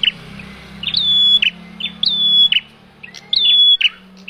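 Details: Lure call of a male bar-winged prinia for trapping birds: three loud phrases, each opening with a brief chip, holding a clear even whistle, then ending in a harsh buzzy note, with a faint low hum behind.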